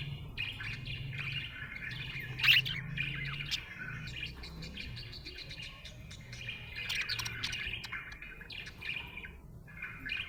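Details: A happy budgerigar chatters in a long, rambling warble with one sharp loud chirp early on, over a steady low droning background.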